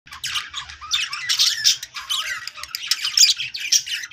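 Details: Budgerigars chattering, played to make other budgies sing: dense scratchy warbling bursts mixed with short squawks and high chirps, rising and falling in loudness, with no pauses longer than a moment.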